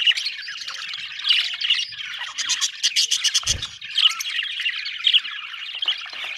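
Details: Happy budgerigars chatter in a continuous, lively stream of warbles, chirps and short squawks, with a quick run of clicking notes and a low thump midway.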